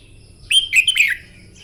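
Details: Red-whiskered bulbul singing in the morning, trained for song contests: a bright, loud burst of quick warbled whistled notes, rising and falling, lasting about two-thirds of a second.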